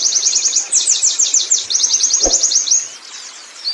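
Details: Oriental white-eye, wild type (pleci ngalas), delivering a ngerol rolling song: quick run of high, slightly slurred notes at a steady pace, one soft thud partway, then the phrase fades out quietly.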